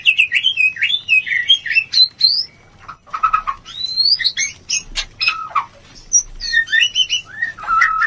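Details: White-rumped shama mating sound meant to raise breeding urge. Clear wavering whistles open the song, followed by sharp clicks, upslurred notes and scattered varied phrases with brief pauses.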